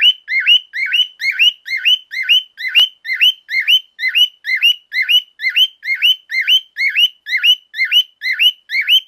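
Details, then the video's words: A male cockatiel, a pet, calling very loudly and monotonously: shrill rising whistled notes with a short dip before each, repeated about twice per second, one faint click partway through. "Bio.. so loud!"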